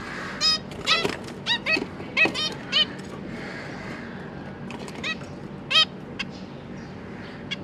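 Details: Captive zebra finch family, two parents busy feeding three newly fledged juveniles that are hopping about and practising flight: scattered short nasal honking calls with stacked harmonics, some in quick pairs, over a steady low room hum.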